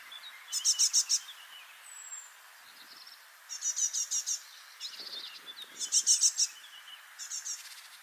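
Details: Freshly fledged young great tits, four together playing and calling continually to one another on a spring morning in 2024 at Parc Izadia, Anglet: high, buzzy rattling bursts of four to six notes, repeated, over faint background hiss.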